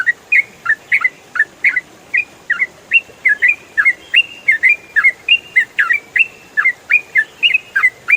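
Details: Ropel song from a trucukan, the yellow-vented bulbul, used for training songbirds: a long, steady sequence of clear whistled and slurred notes, fast and continuous for eight seconds.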